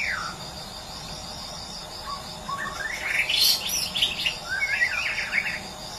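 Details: A white-rumped shama of the Medan type sings a burst of rich, varied whistles and quick trills that rise and fall, over a steady high insect buzz.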